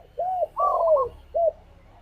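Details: Tekukur, the spotted dove, 'ngalas' lure song for making a pet dove sing: a smooth coo, then a drawn coo layered with a bubbling trill, ending in a short clipped coo.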